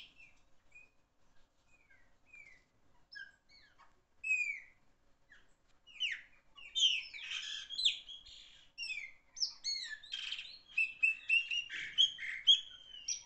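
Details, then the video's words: Chopi blackbird, a loud singer, begins with sparse short whistled notes for about six seconds, then breaks into dense, rapid song of varied slurred whistles and buzzy, rattling phrases, each phrase quickly following the last. "Black bird song, beautiful bird song"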